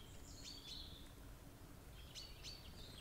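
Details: Brambling (Fringilla montifringilla) at a bird feeder on 25 March 2022; high, sharp chirping notes come in two short bursts, one near the start and another after two seconds, over a steady low hiss of background noise.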